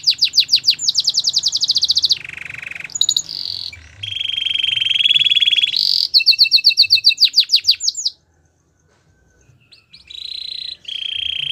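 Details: Gloster canary song: rapid trills of repeated high notes, a lower buzzy roll, a bright whistled tone, more fast trill tours, a short pause, then steady whistled notes.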